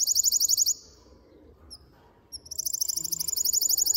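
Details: ['Male canary singing in its cage to excite a female for breeding: a rapid high rattling trill, a short pause with two thin notes, then the same fast rattle resumes and runs steadily to the end.']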